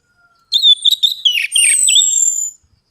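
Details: Orange-headed thrush lure song to spark singing: a single two-second phrase of bright warbled whistles that breaks into jumbled slurred notes and ends on a long sustained high whistle, with no other sounds.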